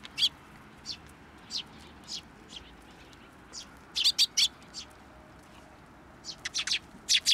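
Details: Sparrows coming to a hand for food at a Tenmangu shrine, 10 June 2024: scattered short, high chirps spaced about a second apart, then clustered bursts of three or four sharp notes, against faint background hiss.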